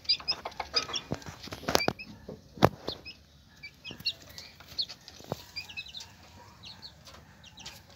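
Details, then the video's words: Hen with her chicks: many thin, high chick peeps scattered throughout, short rising and falling notes, mixed with loud dry clicks and knocks in the first three seconds. "Gallina con sus Pollitos"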